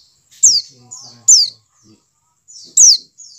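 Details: A white-eye (pleci dakun) call used as lure audio to get white-eyes to start singing: three thin, very high notes sliding sharply downward about once a second, with softer buzzy chips between.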